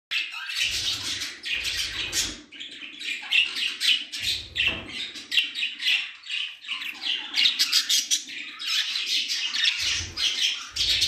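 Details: A bonded pair of budgerigars discovering a nest box chatter nonstop with high, scratchy warbles, chirps and clicks, with a few low thumps underneath.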